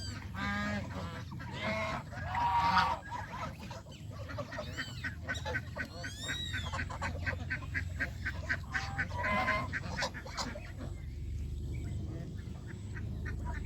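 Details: Farm geese out of their pen, feeding on greens and playing in water in the countryside. A few nasal honks open the recording, followed by sparse calls over steady rumbling background noise.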